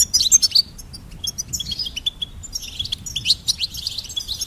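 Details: Loud, bright goldfinch notes start the phrase, followed by a lighter series of quick chirps and a renewed tinkling twitter.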